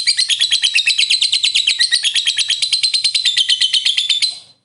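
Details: Long ngekek of a pet lovebird, a trilling song used to provoke other lovebirds: rapid harsh rattling chatter, evenly pulsed and very high, sustained over four seconds before stopping abruptly.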